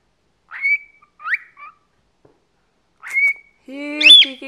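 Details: Indoor pet cockatiel, a talkative 14-year-old male, sends out short rising whistles in pairs, then a harsher, buzzy squawk rich in overtones at the end.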